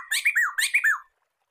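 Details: Black-throated laughingthrush (poksay medan), a recording meant for training and luring songbirds. Two brief phrases, each of two or three looping notes that rise then fall in a wavy, scooping pattern, separated by a short gap.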